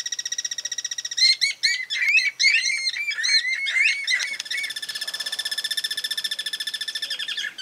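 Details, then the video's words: A Green-barred Woodpecker pair in rural groves of Santa Fe, Argentina, 2023, duets with its strong voice: loud, shrill notes in a fast ringing series, a jumbled stretch of overlapping calls, then a steady rapid trill. "carpintero real tiene una voz suave o bien otra fuerte que suele emitir a dúo [Música]"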